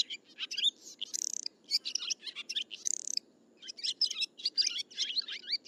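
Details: Swiftlet calls: busy high twitters and quick rattling clicks in short packed bursts, with brief gaps between phrases and a soft low hum beneath.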